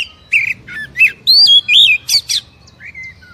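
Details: Oriental magpie-robin song meant to trigger a captive kacer to sing: a quick series of loud whistled notes and buzzy chirps, several bright upward and downward slurs, ending with a single softer falling whistle.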